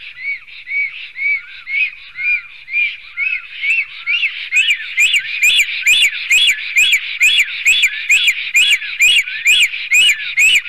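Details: In Sigulda municipality, Latvia, on the morning of 11 June 2020, black storks fight at a nest between two males. Steady whistled notes come about twice a second. After four seconds they grow louder, sharper and more ringing, with a bright high click at each note.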